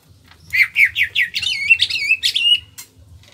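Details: Caged Kalimantan greater green leafbird singing a fast phrase of loud, rising and falling whistled notes that run together into a warbling trill, ending on a sustained high whistle, with a faint low mechanical hum behind.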